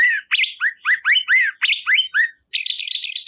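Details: Bulbul known locally as cungkok delivering a fast run of slurred, arching whistles about four per second, ending with a sustained buzzy trill after a brief pause.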